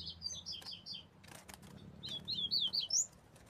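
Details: Double-collared seedeater singing bright, high slurred notes in two rapid runs, the second rising sharply at its end, over a low rumbling background.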